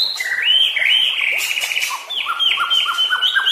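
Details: White-rumped shama song on training audio for caged birds: loud continuous warbling with long high whistles and a lower line of quick repeated notes.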